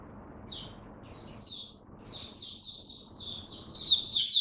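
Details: Caged oriental white-eye (mata puteh) kept as a hobby songbird, recorded 8 October 2022: high, thin twittering phrases in short bursts, growing louder and denser toward the end into a rapid warbling run, over a faint low hum.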